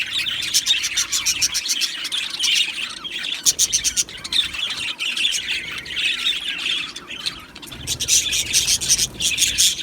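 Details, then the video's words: Aviary colony of Australian budgerigars: bursts of rapid, high chattering and sharp chirps from many birds, swelling and easing in waves with short quieter gaps between loud spells. "Beautiful Budgies Singing and Chirping Sounds"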